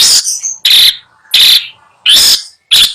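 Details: A captive long-tailed shrike (cendet), one of several being chosen at a seller's place, sings in harsh, scratchy, high-pitched bursts, about five in three seconds, each short and rasping with brief pauses between. Long-tailed shrike.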